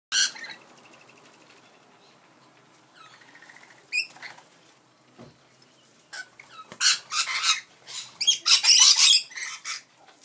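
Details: Rainbow lorikeets visiting a balcony; a few thin, short whistled notes early, then loud, harsh, rasping screeches bunched together in the last few seconds, separated by quiet gaps.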